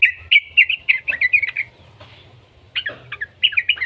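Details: Young yellow-vented bulbul singing bubbly, chortling phrases in quick bursts, several short warbled notes repeated in two clusters separated by a brief pause; low hum in the background.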